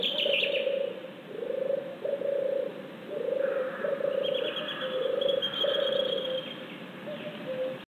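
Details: Possibly a European turtle dove, recorded on 15 June 2014 at 19:26, gives a low, rolling purr, 'turrr-turrr', in phrases of about half a second, repeated steadily, with higher chirps from other birds in the background.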